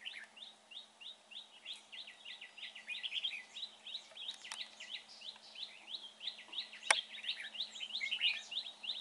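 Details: Red-whiskered bulbul during trapping, noted for a good voice; a long, fast run of short, bright, upward-flicking whistled notes, about three per second, with a sharp click partway through.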